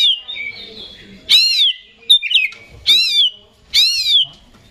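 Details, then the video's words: Oriental magpie-robin, a kept competition songbird, singing rich arched whistled notes in three strong bursts, each rising then falling, separated by softer thin warbles. "Suara Kacer Super Gacor Ngeplay Konslet Ekor Goceng"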